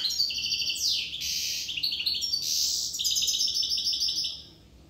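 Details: Corsican European goldfinch in full song: continuous, loud, rapid twittering with metallic tinkles, rolling trills and buzzy downslurred notes for about four seconds, then fading out.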